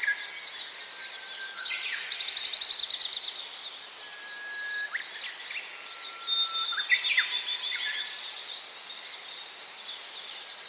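Gouldian finch: thin, high chirps and short whistled notes, some held briefly, over a soft hiss of background chatter from other small birds.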